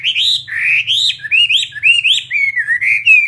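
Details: Chinese hwamei, kept as a fighting bird, delivering a short burst of loud, rich whistles, each swooping upward then dropping, about three per second.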